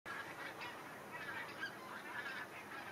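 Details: Geese migrating south for winter, a flock giving overlapping nasal honks in a continuous chorus over a steady hiss of background noise.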